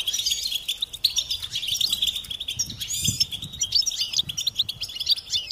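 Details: Goldfinches chirping and singing for songbird training: dense high chatter of rapid tweets and twittery trills throughout, with soft low background noise.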